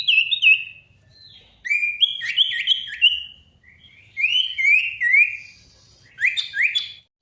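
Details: Sirtu lure song intended to make quiet birds sing back at a rival: chains of whistled notes stepping up and down, delivered in three lively phrases with short gaps.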